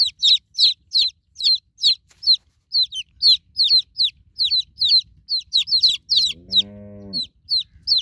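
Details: High, falling peeps from newborn chicken chicks calling for their broody mother hen, repeated about two to three times a second. A brief low, throaty harmonic sound joins near the end.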